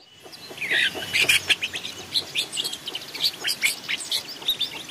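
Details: Long-tailed shrike in a forest, recorded as a decoy training song: a busy, chattering stream of harsh and squeaky notes mixed with sharp ticks, delivered in rapid uneven bursts.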